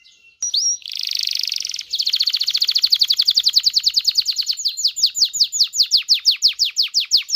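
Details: Excited canary singing to encourage mating: a quick whistle, a dense buzzing roll, then a long trill of falling notes slowing into widely spaced downward sweeps.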